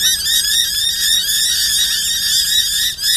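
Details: Noisy miners responding to an owl model at Corso reserve in Brisbane, 29 August 2012: a continuous dense chorus of overlapping harsh, scratchy calls from several birds. A steady low hum sits underneath.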